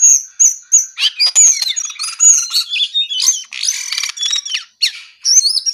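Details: Loud, energetic song from a brown-eared bulbul: clipped high whistles repeated at the start, then a dense tumbling run of buzzy trills, slurs and rapid notes, ending in rising whistled phrases.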